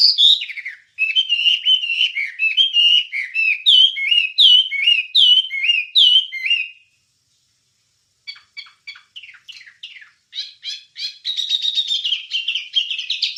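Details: Wambie song for training songbirds: a long series of repeated downslurred whistles, about one per second, a pause, then sharp clicking notes and a dense high chattering warble.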